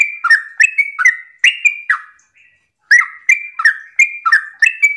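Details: Sooty-headed bulbul singing a morning 'ropel' style song, meant to provoke other birds into singing: quick bubbly whistled notes, each sliding down, in a fast chattering run, a short pause near the middle, then the run resumes.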